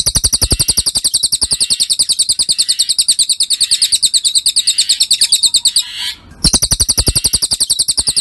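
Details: Training recording of a cililin's song: long stretches of quick, bright, high-pitched chirps in a steady stream, interrupted once by a brief hush, then the same rapid chirping starts again.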